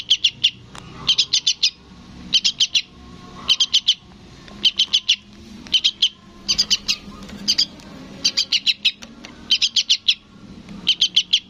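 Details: Young yellow-vented bulbul chick calling for its parent: sharp, high chirps in quick bursts of three to five, each burst repeated about every 1.2 seconds, with faint low rumble behind.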